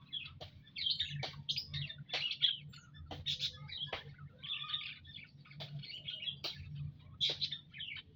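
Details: A flock of munias in an aviary on 19 April 2025 keeps up dense, overlapping high chirps and short tweets almost without pause, broken by sharp ticking clicks, over a constant low mechanical hum.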